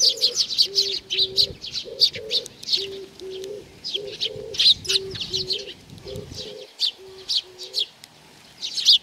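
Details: Chattering sparrows come for food at Tenmangu, Nakanoshima, on 7 June 2020. Dense high chirps continue throughout, while low, repeated cooing notes run beneath for the first eight seconds.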